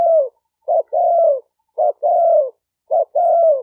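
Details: Cooing of a spotted dove, used for training newly caught birds: three phrases, each a brief clipped note followed by a long, mellow, gently falling coo. The background is otherwise silent.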